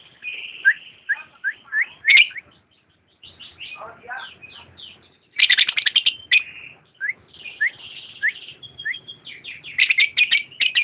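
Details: Lovebird giving a busy run of sharp chirps and short rising and falling squeaky notes, with a brief pause before another dense burst of harsh chattering chirps.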